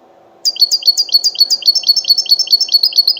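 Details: Wild goldfinch heard at the Sunday bird market in Al-Qurai'a, starting after a brief hush into 'batbata' song: quick evenly paced chirps, each a short drop paired with a ringing high note, repeated steadily for three seconds.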